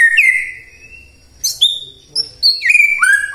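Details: ['A white-rumped shama gives its morning provoking song, aimed at making quiet shamas respond: drawn-out clear whistles at varied pitches, separated by short gaps, ending in a downward slurred note.']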